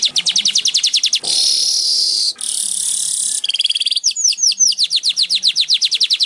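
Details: Baya weaver song from a training recording meant to get caged weavers singing: a rapid run of dry ticking notes breaks into two long wheezy hisses, then a fast chatter and a string of down-slurred whistled notes.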